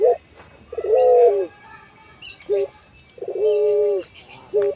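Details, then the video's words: Puter pelung collared dove, a kept ornamental bird, singing actively while bobbing its head: short low coos alternating with long, drawn-out, level mellow coos about half a second each, repeated several times with faint background noise. "Burung Puter Pelung – Suara Merdu"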